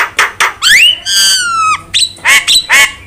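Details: Starling (jalak) singing for bird training: short harsh bursts, then long drawn, rising and level whistled notes rich in overtones, ending in three quick upslurred chirps.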